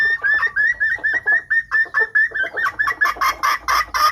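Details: Female red junglefowl luring males as a trapping decoy: short nasal clucks with a rising bright tone, repeated roughly three times a second, turning fuller and noisier toward the end.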